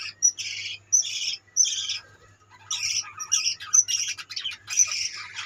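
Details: Colony of budgies giving harsh squawks and bright chirps in short bursts, several birds overlapping, separated by brief quiet gaps, over a faint low electrical hum.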